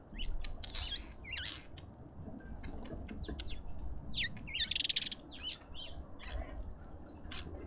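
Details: Lovebirds at a feeder in a suburban Pretoria garden, South Africa, utter piercing high shrieks and quick, hooked chirps, loud at first, then scattered, sharp notes continuing irregularly.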